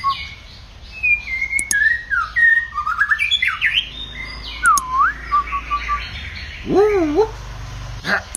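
White-rumped shama singing a varied run of rich whistles, slurred rising and falling notes and quick trills, ending in a loud looping whistled phrase.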